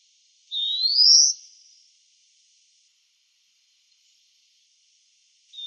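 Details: European greenfinch in the town of Wittlich, 2018: one drawn-out wheezy note sliding upward, about a second long, followed by silence and the start of another note at the very end.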